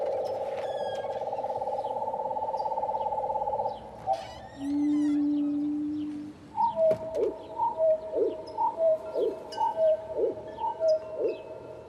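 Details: Song sparrow (Melospiza melodia) song recorded in Los Padres National Forest, California, slowed eightfold: long, low, steady whistled tones and a brief deep hum, then drooping notes about two per second.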